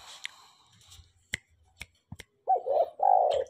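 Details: A tame spotted dove gives a low, mellow coo phrase: two short notes, then a fuller drawn-out coo. Sharp tapping clicks and faint background noise come before it.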